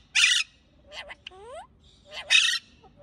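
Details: Parakeet chattering: two loud, scratchy chirps frame softer, squeaky talking-like sounds and a falling whistled note in between.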